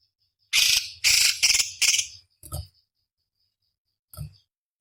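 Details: Cucak cungkok bulbul master song for competition birds: four loud harsh chattering bursts in quick succession, then two softer clipped notes over a thin high steady tone.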